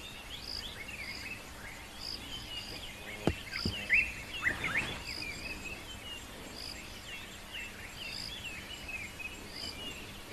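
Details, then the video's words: Summer dawn chorus on 7 February 2024 at Rietspruit Game Reserve, Lowveld, South Africa: layered high chirps, whistles and trills from ring-necked dove, dark-capped bulbul, fiery-necked nightjar and a distant white-browed scrub robin, over a steady insect hiss with sharp clicks. "listen to this beautiful morning chorus of the birds."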